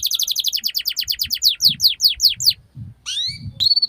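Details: Canary song for training young birds to sing: a fast series of descending chirped notes repeated about two to three per second, then a rising sweep and a sustained high whistle; faint low thumps beneath.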